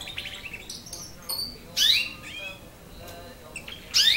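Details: A nine-month-old canary learning to sing practises its song: high, bright chirps and short rising trills in uneven bursts, with louder sweeping phrases near the end.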